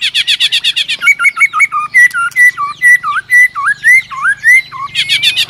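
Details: White-rumped shama singing after being provoked by a female: a rapid burst of harsh, buzzy notes, then a series of loud rising and falling whistles repeated about twice a second, ending in another harsh burst.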